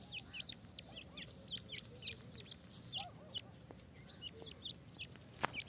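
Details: Grey francolin chicks at feeding time: many thin, high peeps, each dropping quickly in pitch, come in rapid overlapping bursts over a steady background hiss, with a sharp click near the end.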